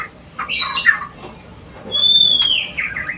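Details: White-rumped shama song to encourage breeding: a few rough chirps, then two long pure whistles, one very high and one lower and gently falling.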